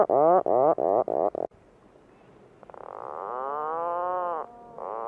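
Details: Puffin giving four quick rasping pulses, then after a pause a long nasal groan rising slightly and falling, and the start of another call.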